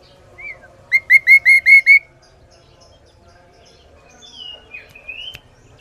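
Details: Clear, loud song of a chatty Sooty-headed bulbul: one whistled note, then a fast burst of six bright, evenly spaced notes. After a pause come a few thinner sliding whistles and a single sharp click.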